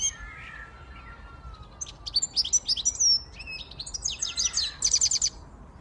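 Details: Song of a siskin x goldfinch hybrid: a long thin whistle at the start, then rapid high chattering phrases and a dense buzzy trill near the end.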